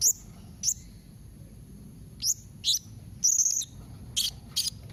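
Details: Blue-crowned hanging parrot calling, a combination meant to make other hanging parrots answer; scattered very high, thin, sharp notes, mostly single, with a couple of short buzzy bursts over a soft low hum.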